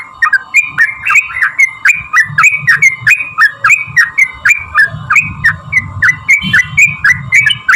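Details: Sooty-headed bulbul, long rolling song meant to make other bulbuls sing back; rapid series of short bubbling whistles, each dipping then rising, repeated about three times a second over a faint low rumble and steady hum.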